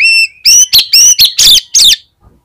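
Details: Oriental magpie-robin, a kept bird singing to prompt other magpie-robins: a steady whistle followed by five or six loud, ringing, clipped notes in quick succession.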